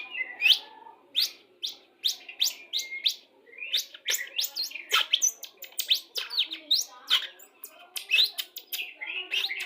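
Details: White-rumped shama song used to bring birds into breeding condition during pairing: a rapid, varied stream of loud whistled and sharp chipping notes, sweeping up and down in quick succession with brief pauses, no other sounds.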